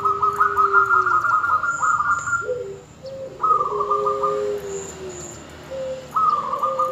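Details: Zebra dove female calling the male to prompt him to sing; rapid trilled coo phrases alternate with lower, drawn-out soft notes, and brief high whistles sound faintly in the background.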